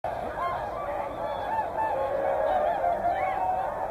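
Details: At Hyoko, Niigata, a flock of whooper swans, with tundra swans also present, give a dense, overlapping chorus of bugling honks, several a second, some rising and falling, over a steady low hum.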